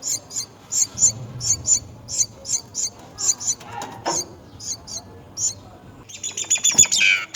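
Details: A myna at its nest while caring for its young gives thin, high chirps repeated several times a second, ending in a harsher, raspy burst of calling.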